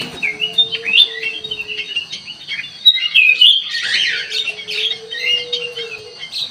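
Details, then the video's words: Sooty-headed bulbul lure sound meant to provoke a reply: lively, bubbly runs of squeaky whistled notes and harsh chatters, loudest around the middle, over a steady thin tone that comes and goes. "burung kutilang emas buat pemikat langsung respon"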